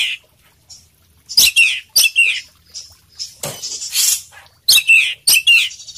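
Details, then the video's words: Kacer poci, the Oriental magpie-robin, singing gacor full isian: irregular bursts of harsh, scratchy chirps and short buzzy notes in small clusters, with quiet gaps between them. "suara kacer poci gacor full isian"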